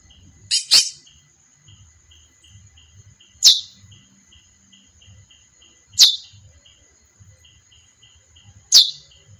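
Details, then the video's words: Female chestnut-bellied seed finch (curió) calling: short sharp high notes repeated about every two and a half seconds, the first a quick double, over a steady faint high hum and low rumble. "Canto Curió fêmea"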